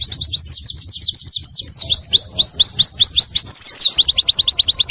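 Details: Clear-voiced nembak song of a white-eye used to train caged birds, blending kunti, wit wit and kenari motifs: quick high rising and falling whistled strokes tumbling over one another in an uneven, lively jumble.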